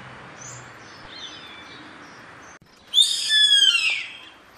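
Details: Yellow-headed caracara calling: after a soft faint note, one loud, raspy, high screech lasting over a second sweeps gently downward, with rich harsh overtones above low background noise.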